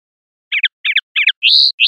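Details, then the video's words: Linnet in the clean 'pardillo limpio' song style, 2021/2022 recording: three short paired twittering notes, then a long, clear whistle that rises slightly and holds, and a final whistle starting at the end. The background is quiet. "CD PARDILLO LIMPIO 2021/2022"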